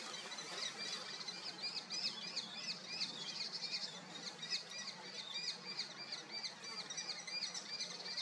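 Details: Common kestrel (Falco tinnunculus), call.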